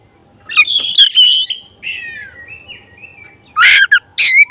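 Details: Black-breasted oriental magpie-robin singing eagerly as a provoking lure for emotion and tail opening; a wavering whistled phrase falls into softer descending notes, followed by two loud, harsh, scratchy bursts.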